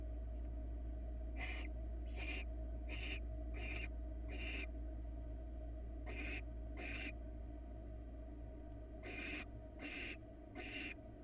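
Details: Barn owl family at a Florida nest-box camera, female with two nestlings fed a small mouse; harsh broadband hissing screeches about half a second long, repeated in irregular bursts over steady low hum.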